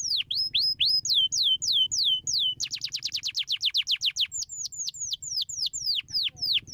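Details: Canary singing to stimulate other, lazy canaries to sing: a long series of clear whistled notes, each sweeping steeply downward, speeding into a rapid run mid-song before slowing again, with low background hum.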